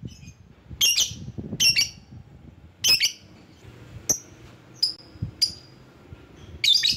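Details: Lovebird calls used as a lure to draw rival birds: short, shrill, sharp chirps in bursts of two or three, with thin whistled notes between them and low room rumble behind.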